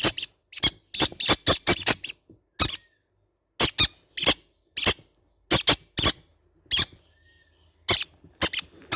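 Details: Baby green-cheeked conures in a small room: a fast series of harsh squeaks at first, then scattered paired notes with gaps, all high and scratchy.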